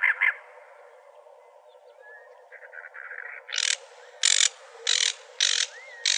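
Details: A cactus wren in Arizona gives a run of harsh, raspy chugging notes, one roughly every half second, with faint thin whistles from other birds behind.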